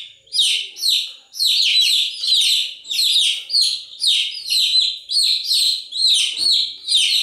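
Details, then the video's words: Continuous chick chirping: clustered, bright, downward-sweeping peeps from many birds repeat in rhythmic bursts under a second apart, with a soft thump near the end. "Continuous Chirping sound of Chicks"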